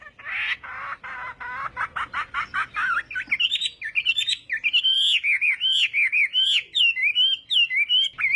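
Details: Chinese hwamei during morning voice training for a singing contest, opening with a rapid buzzy series of harsh notes, then rich wavering whistled phrases that rise and fall.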